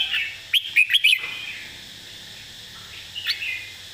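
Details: Red-whiskered bulbul giving a 'master song' phrase with clear, emphatic notes: a quick run of four loud, liquid whistles early on, then quieter warbling and a single high note.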